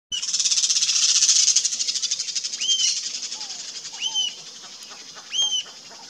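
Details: Rufous-tailed jacamar calling: after a loud, dense buzzing wash of insect or wind noise fades, three sharp, high, arched notes ring out about 1.3 seconds apart over a steady high insect hum.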